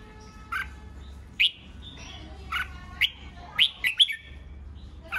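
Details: Red-whiskered bulbul competitive song aimed at agitating newly caught birds: sharp, spaced whistled chirps, some in a quick cluster, against a steady faint hum.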